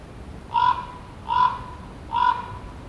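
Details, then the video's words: Common raven calling with three rough, guttural croaks in a steady rhythm, each lasting a fraction of a second and separated by short quiet gaps. "Raven Sounds Bird Call Video Raven Croaking"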